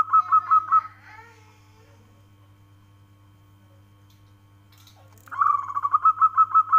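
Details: Zebra dove of a local strain, a kept songbird, uttering quick rolling coo notes, then a long silence before another rhythmic burst of bubbling, trilled cooing.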